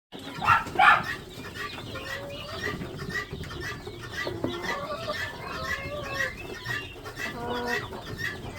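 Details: Chicks on a poultry farm, a dense chorus of short, thin, high peeps overlapping continuously, with two louder, harsher calls near the start and a broad background hum.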